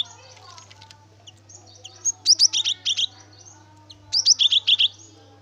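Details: Gacor cinereous tit (gelatik batu) singing as a lure to make others sing: two bursts of crisp, high paired notes, each quickly repeated four to five times, separated by a soft pause with faint chirps.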